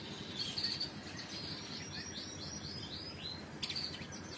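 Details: Canary singing a riwikan-style pancingan (lure) song: a run of quick, high, sweeping chirps repeated in a rapid series, with brief sharp notes at the start and end, over a steady low background hum.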